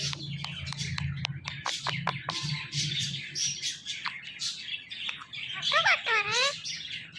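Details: Male pet Indian ringneck parakeet talking: a run of sharp clicking chirps, then two wavering, rising-and-falling harmonic, voice-like syllables near the end, over a low steady hum of background music.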